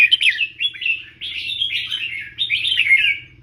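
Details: Tutor Red-whiskered bulbul performing the professional 'double 3' song style: dense, bubbling warbled whistles running almost without a break, grouped into three swelling phrases.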